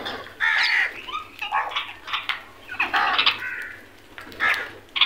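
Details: Several crows calling while searching for food: loud hoarse caws overlap in quick irregular bursts, some rough and drawn out, others short and clipped.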